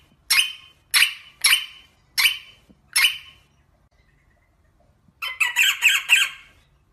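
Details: Rosella kept as a cage bird giving five harsh, broadband squawks about half a second apart, a pause, then a rapid chattering burst of raspy notes.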